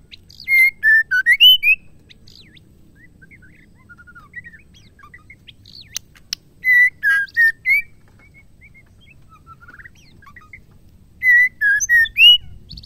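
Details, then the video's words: A female White-rumped shama, whose song is used to provoke males, repeats a loud six-note whistled phrase three times, roughly every five seconds, with faint twittering in the gaps. "MURAI BETINA GACOR..PENGGACOR MURAI BATU TERAMPUH"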